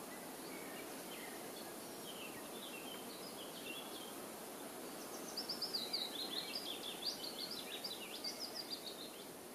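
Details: White wagtail recorded on 6 June 2015 at the Ahsewiesen observation tower in Lippetal, Germany. Faint, thin chirps come first, then a quick run of sharp, high twittering notes from midway on, all over steady hiss.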